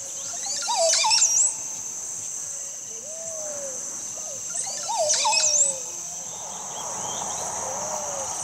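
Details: Montezuma oropendola singing in Costa Rica, a colonial nester that pivots around its branch while it sings; low gurgling, liquid swooping notes with sharp high rising sweeps near one and five seconds, over a steady high insect drone.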